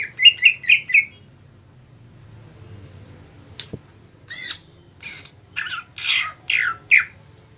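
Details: 7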